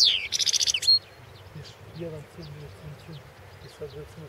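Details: Carduelis carduelis balcanica from the 2016 World Championship in Goldfinch Song. It opens with a downward slurred note and a fast high trill ending in a thin whistle. Quiet low murmurs and faint scattered chirps follow for the remaining seconds.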